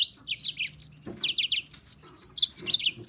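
A serin sings a fast, high, jingling song of tinkling, buzzy notes that runs on without pause. No other sounds stand out.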